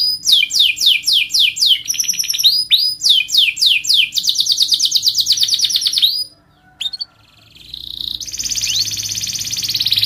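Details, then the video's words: Canary delivering a melodious rolling song of repeated descending chirp phrases and rapid trills, a short pause near six seconds, then a softer high rolling trill. "kenari ngerol merdu"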